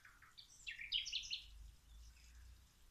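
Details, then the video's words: Birds singing while plants are being watered: a short, faint burst of high, twittering chirps and trills, with a soft low rumble underneath. "Watering the plants while the birds singing"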